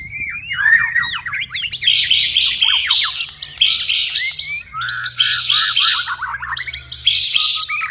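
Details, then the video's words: Persistent night song of a white-rumped shama: fast downslurred whistles open into long stretches of high, buzzy, rapidly repeated trilled notes, broken by quick whistled runs, continuous throughout. "murai batu tetap gacor di malam hari"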